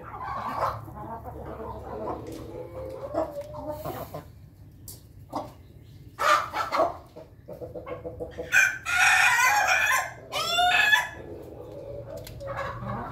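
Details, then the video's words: Pelung chicken at morning feeding: scattered low clucks and short calls build up to two loud, harsh crowing bursts near the end, each about a second long, over faint background noise. "ayam pelung makan pagi ayam ketawq"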